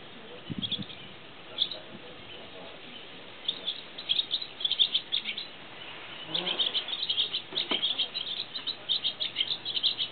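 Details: Swallow filmed from a hide at a nature reserve, chattering away: bursts of fast, scratchy high twittering and chirps, intermittent at first then nearly continuous through the second half, with a few low knocks early on.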